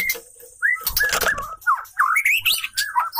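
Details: Female white-rumped shama singing to lure and excite a male: clear whistled phrases, rising and falling notes around the middle range, interrupted by a brief loud rustling burst near the start.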